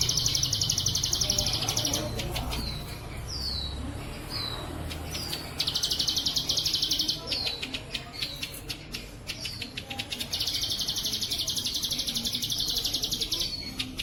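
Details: Plain prinia singing in the bren cililin style for training pet birds: long high buzzy trills alternating with short, sharp downslurred notes repeated about once a second, with clicking or fluttering sounds between phrases.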